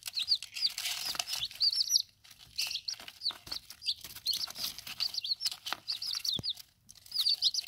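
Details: Several chicks under ten days old peep in rapid clusters of shrill slurred notes while eating and drinking, with pauses between bursts and steady pecking and clicking sounds.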